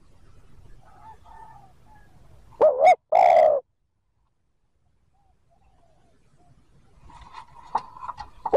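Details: Spotted dove using the 'thúc gù' coo to lure wild birds: soft chirps from other birds, then a bright two-part note and a long resonant coo, followed by quiet and more faint chirping.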